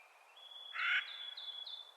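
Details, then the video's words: A single loud, grating call from a Clark's nutcracker in spring, set among thin high whistled notes from another bird and a soft background hiss. "Clark's Nutcracker Calling in Spring"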